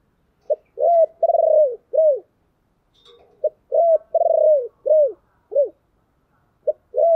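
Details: Repeated low 'chìm' coo phrases of a spotted dove, used as a lure call for wild doves. Each phrase has a short lead note, a pulsed drawn-out coo and two arched falling coos. The phrases recur about every three seconds.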